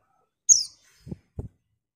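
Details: Female white-eye calling to a male: one sharp, high chirp that drops in pitch, followed by two soft, low thuds.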